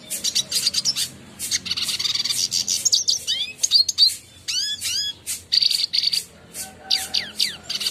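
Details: Red siskin song, clean and clear, meant to train caged birds: quick high chirps, buzzy rattles and a run of falling whistled slurs, with short pauses between phrases.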